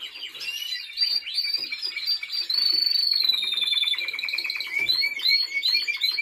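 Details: Trained Timbrado Español canary sings varied phrases: liquid rolling trills, a gliding high whistle, then a steady pulsed rattle and a few upslurred notes at the end.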